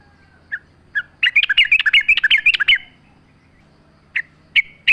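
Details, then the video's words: Lively song of a yellow-vented bulbul used as a lure recording, with nature sounds: a couple of single chirps lead into a quick, rippling run of chattering notes lasting about one and a half seconds, followed by scattered sharp calls. "100% AMPUH pancingan trucuk gacor mewah full suara alam"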